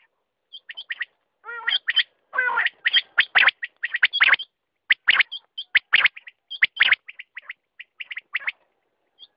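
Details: Quail calling with a rapid, irregular run of short, sharp chirps and clicks about 70 a minute, mixed with a few lower, harmonic, wavering notes near the start.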